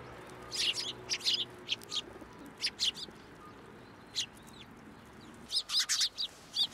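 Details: Sparrows coming to a post to be fed, recorded at a Tenmangu shrine on 2 January 2023; scattered short high chirps, clustered in brief bursts, over a steady background hiss.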